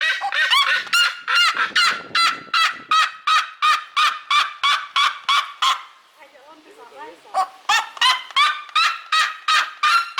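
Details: Seriema screaming loudly: a long series of harsh, harmonic yelping notes, about three each second, briefly broken by softer chattering before the loud rhythmic yelps resume.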